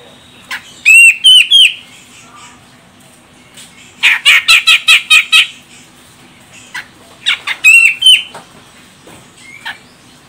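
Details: Female grey-cheeked bulbul of the Medan, Sumatra form, calling as a lure to get males singing: bursts of harsh, buzzy notes with bright upslurred whistles, grouped in short clusters separated by pauses.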